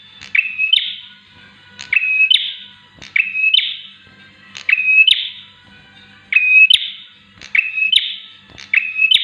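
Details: Bar-winged prinia singing, a recording meant as a tutor or lure for other birds. Each phrase opens with a click, holds a steady whistle, then ends in a harsh buzz, recurring roughly every 1.4 seconds.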